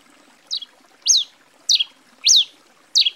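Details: A Grey Pileated Finch (tico-tico-rei-cinza, Coryphospingus pileatus) from Brazil repeats high, thin notes that sweep downward, about five in three seconds, with faint background hiss.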